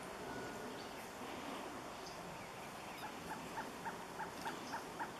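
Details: Surucua trogon song heard in the last two seconds, a run of eight mellow, hollow hoots repeated about four times a second at a steady pitch, preceded by quiet rustling background noise.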